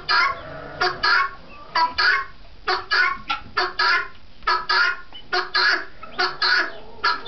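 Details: Helmeted guineafowl at East Hill Farm, New Hampshire, give harsh, grating calls in rapid, uneven bursts, repeated about once a second.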